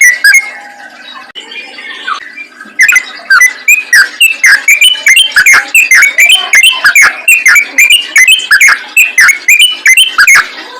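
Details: Yellow-vented bulbul singing rapidly, a recording meant to lure other bulbuls. A blurred, muffled start gives way to a dense, nonstop run of sharp whistled chirps and quick slurred phrases that keep pouring out.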